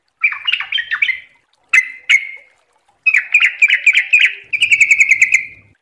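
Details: Sooty-headed bulbul singing a rapid ropel-style training song: bubbly warbled phrases, two sharp chips, then a long run of jumbled whistles ending in an evenly repeated, fast chirping trill.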